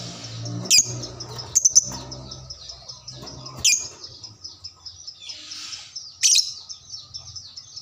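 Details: A lovebird answers another lovebird after a single lure: soft, high, buzzy chatter broken by four loud, sharp, piercing chirps spaced about two seconds apart, with faint low background noise.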